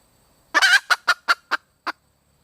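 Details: Female red junglefowl mate call: a long raspy note opens a descending sequence of five short, evenly spaced, abrupt notes, with the gaps between them slowly widening.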